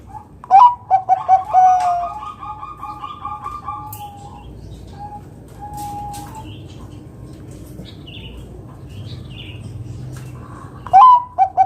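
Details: Loud Bangkok-type zebra dove singing to draw other doves into song: bursts of quick, ringing coos at the start and again near the end, separated by a quiet stretch with faint distant chirps.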